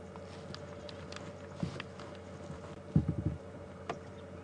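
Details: A woodpecker at Djuma Game Reserve on an evening drive on 14 March 2015 drums territorially, not feeding: a burst of four or five sharp knocks with single taps before and after, over a vehicle's low engine hum.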